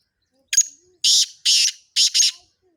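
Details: Sindhi black francolin, with male and female calls mixed: a series of five harsh, rasping, broadband bursts over about two seconds, the last two closely paired, with a clean quiet background.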